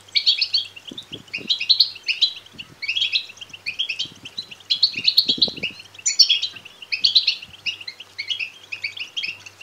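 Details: Begging calls of European goldfinch chicks, used to excite males into song and mating. Busy, high-pitched chattering chirps come in repeated clusters about every second, over a faint low hum and scattered dull knocks.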